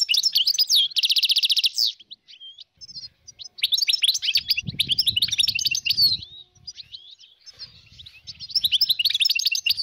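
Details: Dozens of wild European goldfinches in northern Morocco, 2022, giving a jumble of twittering, liquid song notes and a dense buzzy trill early on, with gaps of quieter chatter and faint low rustling.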